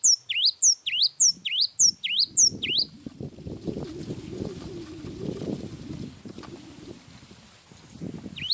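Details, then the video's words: Cinereous tit in a long, lively song: a quick series of sharp dipping-and-rising whistled notes for about three seconds. Then fluttering and rustling noise takes over, with one last note at the very end. "Suara burung gelatik wingko gacor suara panjang"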